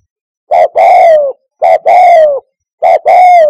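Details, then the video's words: Lure call of a spotted dove for hunting from a hide, three strong coos in a row, each a clipped first note and a long, gently descending second note, roughly every 1.2 seconds. "COCOK UNTUK NYANGGONG - SUARA TEKUKUR TERBAIK"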